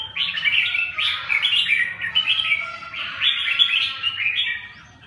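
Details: Red-whiskered bulbul delivering a lively, unbroken sequence of short whistled and warbled notes, repeated in bouncy groups about once per second.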